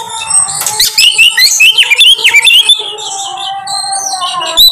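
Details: Oriental magpie-robin (kacer) song used as a lure recording: rapid, varied whistled phrases that sweep up and down, dense chattering notes, with a steady low tonal hum running underneath.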